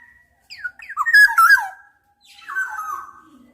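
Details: A Black-naped oriole gives a burst of quick descending fluty notes with a squawky edge, followed by a softer, hoarser trailing phrase.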